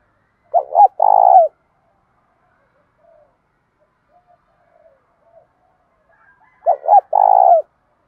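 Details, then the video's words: Spotted dove delivering loud, clear fighting and calling coos in thổ style: two phrases six seconds apart, twin short notes then a sustained rough coo, with faint scattered soft notes in between. "cu gáy giọng thổ Thúc Đấu + Gáy Gọi + Giọng hạp bổi + giọng to rõ"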